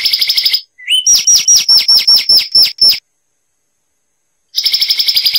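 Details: Song of the Zapata wren, Cuba: a short buzzy trill, a rising whistle, a string of about ten loud sharp notes, a long silence, then the rattling trill returns.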